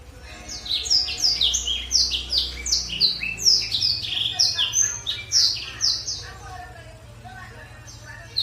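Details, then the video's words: Black-throated canary singing a fast, bright song of high twittering notes and short trills, several chirps a second with barely a pause, used as a lure song to provoke other birds. "Blackthroat berkicau"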